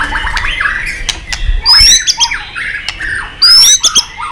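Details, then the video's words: White-rumped shama, excited and clicking, singing with many voices: rich warbled whistles broken by sharp clicks, and two loud bursts of high, trilled notes. "Chòe Lửa tạch đập đuôi kích lửa cực sung. kích chòe Lửa lên lửa sổ giọng.chòe Lửa hót nhiều giọng"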